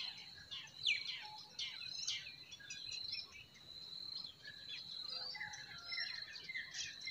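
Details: Several forest birds in spring: bright chirps and steep falling notes come in clusters, some louder nearby, others faint, with a few level whistles near the end and a thin continuous high tone behind.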